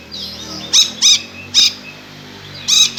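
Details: Lory uttering harsh, high screeches compared to a kuntilanak ghost: three short rasping cries close together, a gap, then a fourth, over faint low hum.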